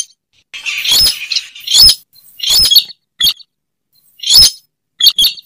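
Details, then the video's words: Recorded slaty-breasted rail used as a lure: rasping squeaky bursts, each under half a second, given irregularly about every three quarters of a second. "Suara pikat burung weris/Burung sintar semak"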